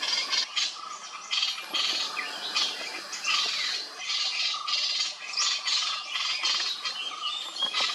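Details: Dark-fronted babblers in Koynanagar Wildlife Sanctuary, Maharashtra, India, in March 2022 give busy, scratchy chatters and short churring calls in quick irregular bursts, with faint high chirps and rustling behind.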